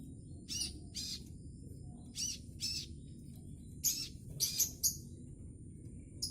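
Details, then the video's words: Juvenile scarlet minivet, still in speckled young plumage, learning to sing: short, noisy high chirps in separate bursts spaced about a second apart, some with faint thin whistles, over a low steady background rumble. "Kicau sepah raja trotol"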